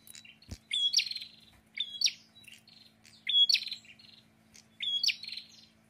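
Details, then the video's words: A prinia gives four bright, high phrases, each a sharp note and a quick buzzy trill, repeated about every second and a half over a faint steady hum. "PRENJAK GACOR"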